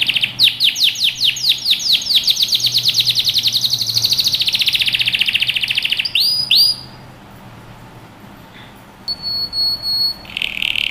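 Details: Canary song recorded for training young birds: a sustained rapid trill of down-slurred notes lasting several seconds, a couple of looping notes, a quiet pause, then a thin whistle and a new trill beginning.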